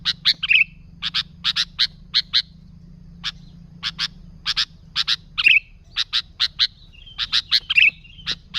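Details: Sooty-headed bulbul singing briskly, a lure for other bulbuls: bright chirps in tight groups of two to four, with occasional short downslurred whistles and a brief pause midway.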